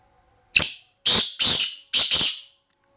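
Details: Black francolin giving a grating call: a brief opening note followed by two doubled, hoarse, scratchy bursts in quick rhythm. The surroundings are otherwise silent.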